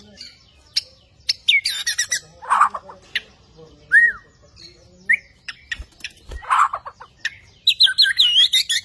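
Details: Captive Bornean White-rumped shama singing energetically with an active display: scattered whistled notes and short slurred phrases, some rising, others dropping, interspersed with sharp clicks and harsh chatter, with pauses between bursts.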